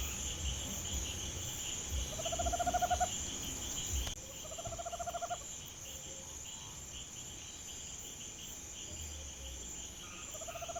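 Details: At night around a home in Brazil, a Tropical Screech-Owl gives short, rapid, purring trills about a second long, low and even, repeated several times over steady high cricket chirring.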